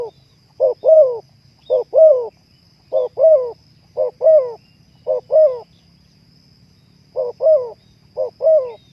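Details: Spotted dove (terkukur) song meant to raise breeding mood in kept birds: paired quick notes followed by a longer downward-bending coo, phrases roughly every second with brief pauses, over a thin constant high tone and low background hum.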